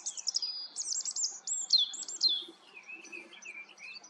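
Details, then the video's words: A Common Chaffinch sings a bright, rattling run of high trilled phrases that slides slightly downward into a quick flourish, followed by softer, lower warbling. "Common Chaffinch sings. Buchfink singt"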